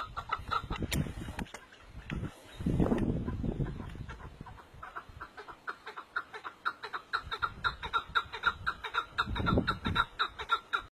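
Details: Partridge giving a rhythmic run of short, clipped clucking notes at about two per second, over bursts of low rumbling noise and a sharp click near the start.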